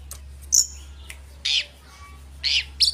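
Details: Oriental magpie-robin, a lively singing bird, sound used as a lure to provoke rival birds: a high sharp chirp followed by harsh, rasping buzzy notes about once a second, over a steady low hum.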